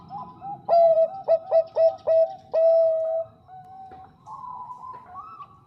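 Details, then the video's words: Bangkok zebra dove, female calling a male: a loud run of five sharp stuttering notes leading into a sustained mellow coo, with fainter doves cooing softly before and after. "PERKUTUT BANGKOK GACOR SUARA JERNIH MENGUNDANG BUNYI"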